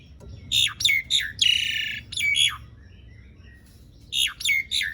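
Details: Long rolling song of an Asian pied starling, meant to make quiet starlings start singing. Harsh, downslurred squawking notes in short groups, a long rasping note, a pause, then three more squawks.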